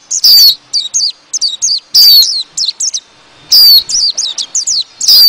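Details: A white-eye calls to its flock, a call used to lure the birds into traps: bursts of high, thin, twittering chirps in quick clusters about every second, against a quiet background.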